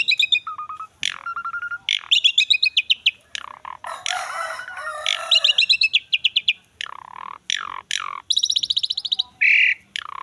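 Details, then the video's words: Asian pied starling in full song for luring and training other starlings: varied mix of harsh rasping notes, fast stuttering trills, low whistles and descending slurred calls, tumbling on continuously for ten seconds. "JALAK SUREN GACOR ‼️ MASTERAN DAN PANCINGAN BURUNG JALAK PALING AMPUH"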